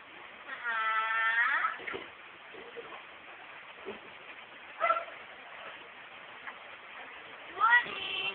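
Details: Talking pet myna, female, known for repeating words heard around the house, utters a long nasal harmonic call followed by scattered soft clicks and two short sharp squawks.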